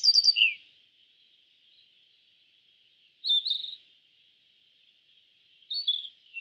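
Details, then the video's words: Short, high chirping phrases from a Yellow bunting come in three separate bursts a few seconds apart. Each burst is a few quick, slurred notes over a steady, faint, thin background tone. "Suara Burung YELLOW BUNTING - YELLOW BUNTING Bird Sound"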